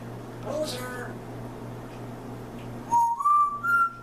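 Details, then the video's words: African grey parrot mimicking the word "loser" (heard as "poser") in a clear whistled voice: three short tonal notes stepping upward after a faint earlier note, over a steady low hum. "African Grey Parrot (Mr.Grey) Thinks I'm a "POSER"!"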